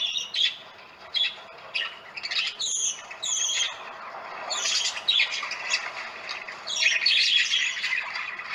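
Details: Parakeets calling for attention during a visit to relatives: bursts of shrill, scratchy chirps and squawks, several birds overlapping in uneven clusters with short gaps between them.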